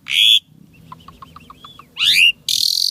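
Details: Asian pied starling singing gacor with an isian tembakan fill-in phrase: loud buzzy bursts near the start and end, a rising harsh sweep, and a soft row of even low notes between them; faint background rumble.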